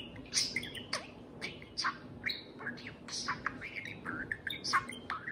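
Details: Parakeet at home chattering to a beer can. Dense mumbling warble with speech-like syllables, slurred whistles and raspy squawks running almost continuously.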